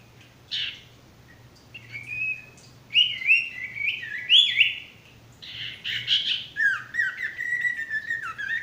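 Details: Sirtu male in full song, with varied phrases of clear whistles and rich chattering notes. Bursts of warbling alternate with short pauses, ending in a falling series of slurred whistles, over a faint low hum.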